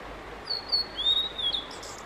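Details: Blue-and-white flycatcher male in full song, about fifteen minutes long on 5 May 2022, watched by photographers: two short high whistles, then a longer, sweet, level whistled phrase ending in a brief dip, with light ambient noise.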